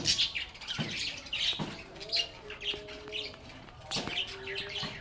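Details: Chattering lovebirds in steady, high, scratchy chirps and squeaks, with a few sharp taps and faint thin tonal notes running through the middle.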